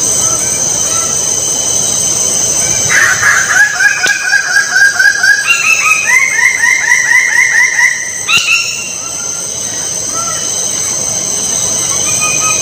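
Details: Bird-of-paradise giving a run of loud, harmonic, nasal notes, about three to four per second, that step upward in pitch midway and then stop, over a steady high insect-like drone.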